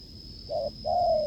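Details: Wild spotted dove met during a decoy test, cooing strongly: a short low hooting note, then a longer, louder coo that slides slightly downward. A steady high whine runs throughout.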